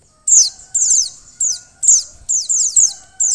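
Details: Female white-eye calling to spur a male into singing: bursts of very high, thin notes that slide steeply downward, repeated in quick clusters over a faint steady hum.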